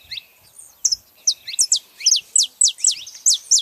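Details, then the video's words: Saffron finches, a female and a male, calling together: a series of sharp, high, downslurred chips that come quicker and louder in the second half, with short gaps between them and no other noticeable sounds. "canários da terra fazendo barulho fêmea e macho"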